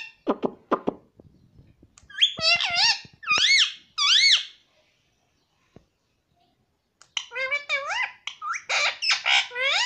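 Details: Talking pet parrot saying "mummy" indoors: crisp clicks, then strong nasal, bending syllables in a quick series, a long silent pause with a single tap, and a final rapid run of wavering speech-like notes.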